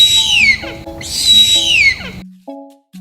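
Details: Harpy eagle giving two long, high, harsh wailing screams, each holding steady and then sliding downward at the end, with music in the background.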